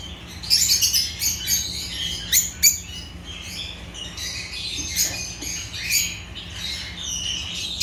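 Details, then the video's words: Agapornis lovebirds from Africa chirping: energetic high-pitched chatter with rapid sharp squeaks in clustered bursts, several birds calling over one another. "Agapornis lovebirds chirping sounds"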